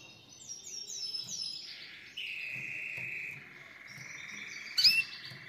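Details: Canary (Serinus canaria), song.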